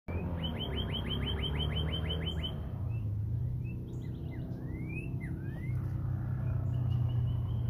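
A cardinal sings a fast run of about a dozen bright, down-slurred chip notes, then several slower slurred whistles, over a steady low rumble of traffic.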